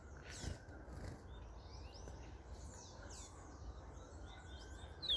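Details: Chestnut-bellied seed-finch (called bullfinch) in Trinidad giving scattered high, thin chirps and short sweeping whistles, some rising and some falling, over a steady low rumble of background noise.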